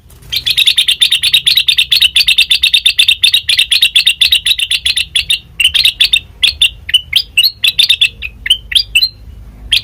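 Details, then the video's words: Sooty-headed bulbul used as a lure for other birds, delivering a fast, dense run of sharp repeated chirps for about five seconds, then slower separated whistled notes rising and falling, clear and loud. "Suara khas Pancingan Kutilang Bahan,Cukup 1Menit Nyaut"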